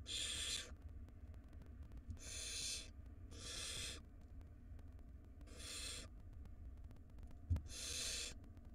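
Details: Wild barn owl nestlings being fed in a nest box; five hoarse hissing snore-like screeches, each roughly half a second, spaced irregularly, one sharp knock near the end, steady low hum.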